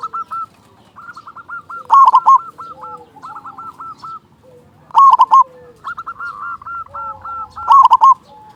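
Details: A local zebra dove sings loudly as a lure to provoke other doves into singing. Three emphatic stuttered coo bursts arrive about three seconds apart, separated by rolling trilled coo series from other birds.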